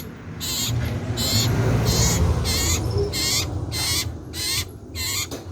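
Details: Common iora, locally called cipoh sirtu, singing loudly and actively: high, bright phrases with quick rising whistled strokes, each about half a second, repeated roughly every 0.7 seconds over a steady low rumbling hum.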